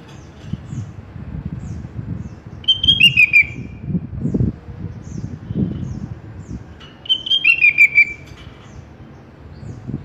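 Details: Sooty-headed bulbul (kutilang) on a masteran recording for cage birds: two melodious whistled phrases roughly four seconds apart, each a high note dropping into a quick trill-like descent, with background rustle.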